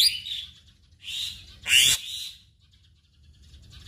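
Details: Black-winged myna (jalak putih) in lively 'gacor' song full of mimicry: loud harsh, hissing screeches in three separate bursts, the last containing a short thin whistle, followed by near silence with a faint hum.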